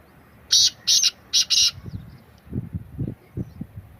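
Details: Black francolin call: four grating, scratchy notes grouped in two pairs, then low thumping background noise.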